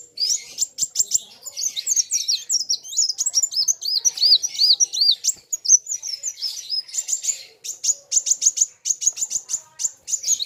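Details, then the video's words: Kolibri wulung sunbird singing hard while facing a rival, a busy stream of thin, high chirps, rapid trills and looping whistled notes. Fast staccato bursts at the start and end frame the rolling warbled phrases. "BURUNG KOLIBRI WULUNG NARUNG GACORR KETEMU LAWAN SAMA" GACORR..RAMAII"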